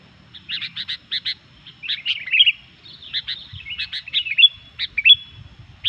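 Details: Sooty-headed bulbul singing busily, a song used to provoke rival bulbuls: rapid runs of clipped chirps alternating with short whistled, slightly rising notes, roughly ninety notes a minute, irregular rhythm.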